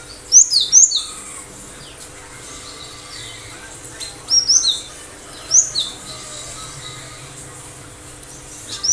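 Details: Cinereous tit singing, a caged bird kept for its prolific song, giving short bursts of very high, sharp, down-slurred whistled notes in clusters of three to four, about every 1.5 seconds, over a faint steady hum.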